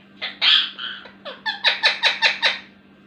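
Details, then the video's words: Talking Indian ringneck parakeet: a loud harsh squawk followed by a string of about seven quick speech-like rasping syllables in rhythmic succession, steady low hum indoors. "talking parrot | miyan mithu | ringneck parrot"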